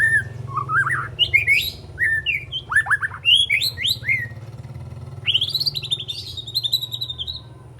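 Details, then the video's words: A three-month-old speckled juvenile white-rumped shama learning song, trying out borrowed phrases and sharp shot-like notes: varied swooping whistles, quick downslurs and a rising buzzy run, over a steady low hum. "Murai Batu Trotol Jahat Usia 3 Bulan Belajar Bongkar Isian Besetan & Tembakan Tajam"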